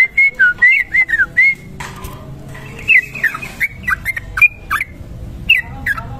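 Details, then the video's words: Trucuk kebo bulbul singing its long ropel song for tutoring birds: a quick run of liquid rising-and-falling whistled notes, a short pause, then more scattered chirps over soft background noise. "trucuk kebo ropel panjang"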